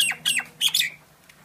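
A myna gives three harsh, squawking notes in quick succession, each sweeping downward, followed by a faint click; a low steady hum sits underneath.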